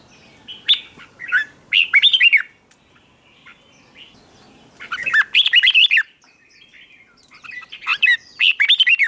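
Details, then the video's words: Training recording of red-whiskered bulbul morning song meant to excite newly caught birds into fierce contest singing: three separate warbled bursts of liquid, rapidly varied whistles with quiet gaps between them. "luyện cho chào mào bổi hót | luyện giọng chào mào hót sáng kích bổi hót đấu căng lửa"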